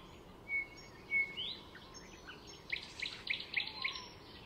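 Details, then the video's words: Icterine warbler, a wild bird singing at Fysingen reserve north of Stockholm, Sweden, weaving mimicked calls of other species into its song: thin whistled notes and sliding phrases, then a fast run of sharp repeated chips over steady background hiss. "Icterine Warbler in full song; A master of mimicry"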